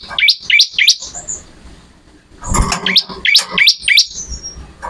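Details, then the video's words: Ciblek, the bar-winged prinia, singing energetically: crisp rising upslurred notes repeated roughly three per second in two runs, with a brief quiet gap and a low thump between them. "MASTERAN BURUNG MATERI CIBLEK ORIGINAL GACOR"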